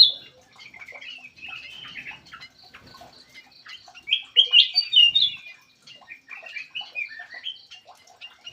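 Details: Black-crested bulbul lure call from birds kept in an aviary: scattered short chirps, then a louder run of slurred, warbling whistled notes around the middle, followed by softer chirps and twitters.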